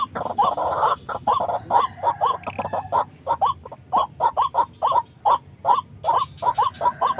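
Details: Rapid series of white-breasted waterhen notes used to lure birds into traps near houses; short upslurred calls come fast and unevenly, starting with a noisy burst, then clear repeated notes.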